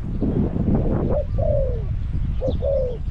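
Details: Spotted dove caged as a decoy for wild doves at Song Phi Nong. Two soft coo phrases, each a brief rising note then a sliding falling coo, sit under heavy broadband rustle and handling noise.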